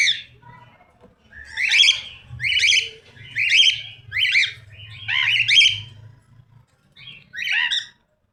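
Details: Cockatiel repeating loud, grating squawks with a slight upward inflection, roughly every half second in a run of five, then one more after a short gap.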